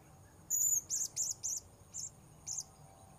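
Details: Blue-crowned hanging parrot being lured in the wild at a new location. A long shrill note, then a string of sharp, very high chirps, several close together and two spaced out, with a steady buzzing insect tone throughout.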